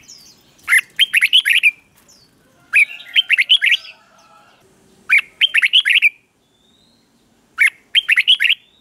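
A red-whiskered bulbul sings four bright, bubbling phrases of six or seven quick, chirpy notes each, repeated about every two seconds with clear pauses between.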